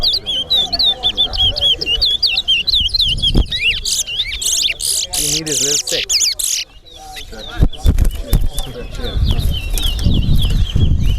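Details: Towa towa (chestnut-bellied seed-finch) singing during a bird race competition at Alligator Pond: a run of quick wavering whistled notes, then dense buzzy bursts, later giving way to voices and handling noise.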